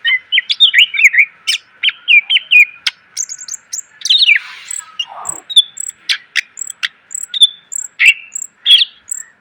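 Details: Greater green leafbird song packed with varied phrases, used for training cage birds: long lively run of whistles, high tinkling notes and sharp ticks, with a brief falling swoop midway.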